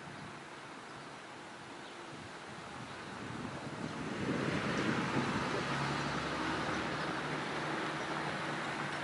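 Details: Gusty wind buffets the microphone, swelling louder after four seconds into a steady roar, with no animal voices.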